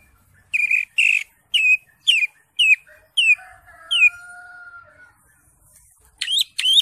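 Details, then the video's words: Greater green leafbird in lively ngentrok song packed with varied fill notes: a row of sharp downslurred chirps about two per second, then a long thin flat whistle and a low steady tone, ending with two loud rising chirps. "CUCAK HIJAU (ijo) NGENTROK JAMBUL GACOR FULL ISIAN"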